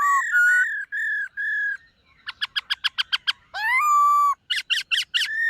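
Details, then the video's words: A black-throated laughingthrush in morning song practice, dancing while it sings: steady held whistles, a quick string of sharp clicky notes, a long rising-then-level whistle, and a few emphatic buzzy notes. "Khướu BẠC MÁ hót MÚA luyện giọng . Khướu hót sáng luyện giọng kích bổi"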